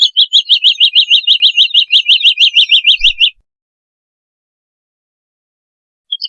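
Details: Woodlark delivering a fast, regular trill of bright, peaked notes, about six per second for three seconds, then silence broken by a brief fresh note near the end.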